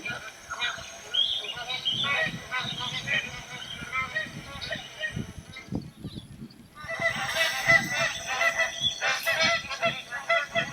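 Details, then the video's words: Magpie goose calling: a dense chorus of harsh honking calls, busy and overlapping, with a brief lull near six seconds before loud honking resumes. "SOUND OF A MAGPIE GOOSE 🔊 What does a magpie goose sound"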